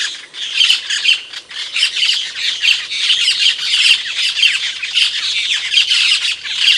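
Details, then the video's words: Camperling bird singing for masteran training: a dense, continuous stream of harsh, scratchy chatter and squawky notes, rapid and unbroken, with overlapping bursts throughout and no other clear sounds. "Suara burung camperling buat materan-pancingan-gacor full"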